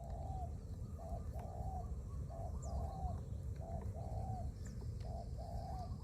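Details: Decoy spotted dove cooing for luring wild doves: soft low coo phrases, a short note then a longer drawn-out coo, repeated steadily against strong low rumbling background noise and faint higher chirps.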